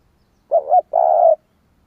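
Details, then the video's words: Single spotted dove phrase meant to make other doves call: a short two-part note, a brief pause, then a longer level, throaty coo, all on a clean quiet background. "Tiếng chim cu gáy kích bổi nhanh nổi"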